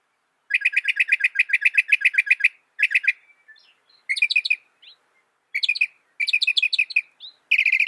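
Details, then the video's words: Northern mockingbird mimicking other birds, capable of 200 different sounds. Fast even trills of bright chip notes come in bursts separated by short silences, with faint soft notes between phrases. "Masteran suara burung NORTHERN MOCKINGBIRE bisa merekam 200 suara"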